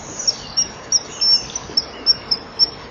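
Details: Nest-box cam, 12 March 2015, 07:19: female and male Eurasian kestrel on the perch chip at each other before the male attempts mating, not yet fully allowed. Thin, high, sharp notes, about ten in three seconds at an uneven pace, faint hiss.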